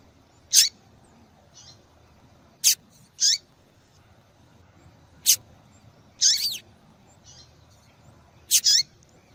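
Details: A female double-collared seedeater calls often, drawing males and spurring a quiet male to sing; roughly eight sharp, high chips, some doubled or slightly buzzy, spaced irregularly, with faint soft notes between.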